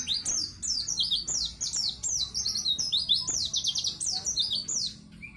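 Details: White-eye (pleci) singing in full, energetic 'gacor' style, a master recording for training young birds: rapid run of high, sharp downslurred whistles and chirps, densely packed and ceaseless, with faint low background hum.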